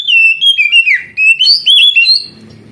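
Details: An oriental magpie-robin sings to coax young canaries that are slow to sing. Loud whistled notes slide down and up in a varied, wavering phrase broken by brief pauses, then fade to faint background noise.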